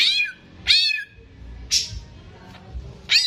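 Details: Caged greater green leafbird in full gacor song for tutoring young birds: loud downslurred whistles separated by quiet gaps with a low background hum.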